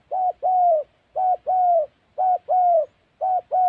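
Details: Spotted dove used in trapping in the wild mountain forest of Gia Lai, Central Highlands, Vietnam: deep, mellow coos in paired phrases, a short note then a longer drawn-out one, repeated about once per second in a quiet setting.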